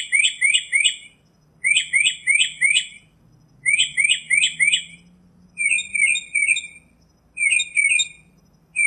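Northern Mockingbird singing loud, chattering phrases, each a rapid run of three or four harsh, high notes, repeated every second or two with short pauses.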